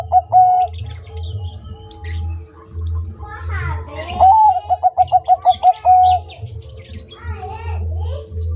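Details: Bangkok-type zebra dove singing vigorously: a single clear coo, then a quick run of about eight staccato cooing notes closing on a drawn-out note, over a steady low hum and scattered chirps of other birds.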